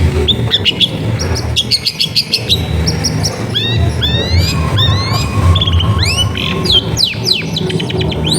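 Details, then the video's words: Energetic long-tailed shrike song recorded at a home in a crowded neighbourhood, meant to lure quiet shrikes into singing: rapid bursts of clipped chips, then sweeping rising whistles repeated in quick series, over a constant low background rumble. "CENDET GACOR FULL TEMBAKAN TAJAM COCOK BUAT PANCINGAN CENDET MACET BUNYI"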